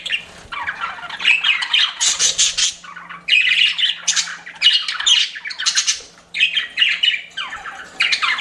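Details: Chirping pet budgies give bursts of raspy, high warbled chatter separated by short pauses, the bursts rising and falling roughly every second.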